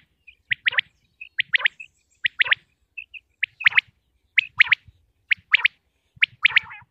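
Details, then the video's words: Pakistani common quail: short high pips leading into sharp triple-note calls, repeated every second or so in an even series, the final phrase ending in a lower buzzy rattle. "quail sounds 2023|batair ki awaz 2023|pakistani batair|top sounds of batair"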